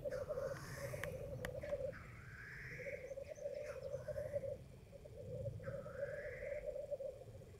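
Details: Black grouse heard through thick fog at World's End: steady low bubbling rookooing in long phrases with short gaps, broken by several rising hissing sweeps, plus a few sharp clicks and faint high bird notes.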